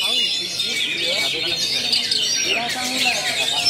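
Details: Two oriental magpie-robins (kacer) duel at a songbird contest in Cilacap on 14 January 2018, trading loud, rapid, high whistled and chattering phrases in an unbroken stream, with people talking in the background.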